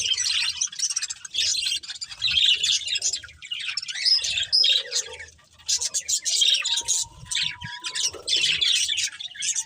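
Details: A budgerigar breeding pair and family chirp in irregular bursts of high, grating chatter and squeaky whistles, with a faint, steady whistled tone running briefly in the background partway through.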